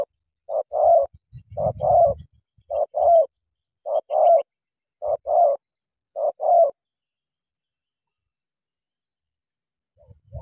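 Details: Spotted dove in Cà Mau, a "kèo thổ" bird meeting a wild "bổi" and fighting. Mellow coo notes come in pairs about once a second for seven seconds, then silence, with some low rustling early on.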